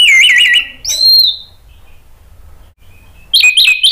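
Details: Orange-headed thrush song from Indonesia, played to prompt other thrushes to sing; rapid warbled trill opening, a short rising whistle, a pause, then a loud warbled burst to close.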